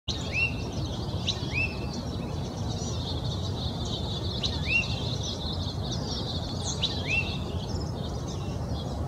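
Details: Oak titmouse singing in Old Torrance, Los Angeles County, California, on January 21, 2020: short hooked, upslurred whistled notes repeated roughly every second, fairly faint above a constant low rumble of traffic noise.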